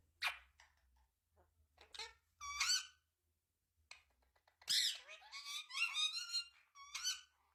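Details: Indian ringneck parrot talking with its owner, first time: scattered harsh chirps and squeaks, then a run of rapid buzzy, rising-and-falling speech-like notes in the second half, in a small quiet room.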